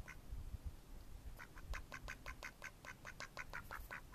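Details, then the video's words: A steady string of loud, rhythmic nasal quacks from Mallard ducks in May 2014, about four per second, starting after a short quiet pause. "Mallard Ducks"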